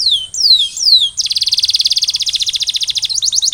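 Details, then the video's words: Canary trigger song: three loud falling whistled slurs followed by a long rapid rolling trill and short rising notes at the end. "Canary Sound Trigger: Turn Silent Canaries into Instant Singers!"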